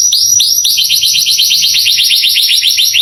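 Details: Canary song meant to excite young canaries: brisk run of rapid repeated rising-then-falling chirps, evenly paced and bright, with a fine high trill running above.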